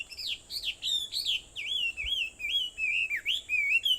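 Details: Early-morning bird song at Aobayama, Sendai, Japan, 4:30 a.m., 21 July 2014: a sweet string of looping, wavering whistles, each note bending up and down, steady and unhurried against a faint high hiss.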